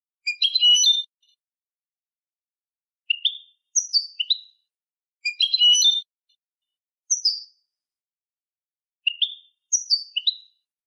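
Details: Canary song in the malagueño style, used to educate birds. Dense clusters of bright chirps alternate with spaced runs of three falling notes, the pattern returning every few seconds with clean pauses.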